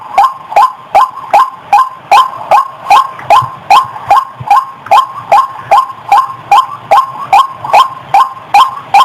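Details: Clean white-breasted waterhen call used to lure the bird, a long metronomic run of curt, upward-flicking honks, roughly two and a half per second, with no other sounds.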